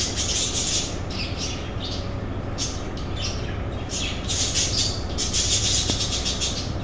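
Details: Budgerigar breeding colony in captivity; dense, rapid high-pitched chirping and squawks from several birds, about two or three notes per second, with a constant low droning hum beneath.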